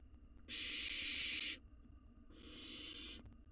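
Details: Wild barn owl nestling in a nest box, hungry and swallowing a mouse, gives two long harsh hissing screeches of about a second each, separated by a pause, with low background hum.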